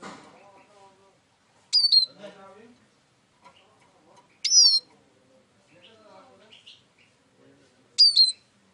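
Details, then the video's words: Eurasian siskin giving three loud, high, descending whistled call notes spaced about three seconds apart, with softer, lower murmuring sounds between them. "İskete kuşu ötüşü"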